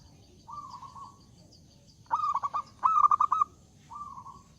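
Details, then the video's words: Vigorous zebra dove song, loud enough to call rivals into singing. A soft drawn hum, two close bursts of staccato coos, then another quiet hum. "Suara Burung Perkutut Gacor Suara Besar Mengundang Lawan Bunyi"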